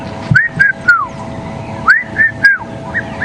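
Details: Red-chested cuckoo calling during a morning safari drive at Djuma Game Reserve, South Africa, on 17 November 2015, amid elephants: two three-note whistled phrases, the last note falling, about a second apart, over a steady engine hum.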